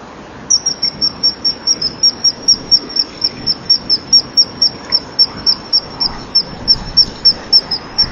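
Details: A common kingfisher on a nest-box camera at 10:41 on 25 November 2012 sits a few minutes in the sun on the rear perch, then flies off peeping. Thin, very high piping notes come fast and steadily, about four a second, over a low background hiss.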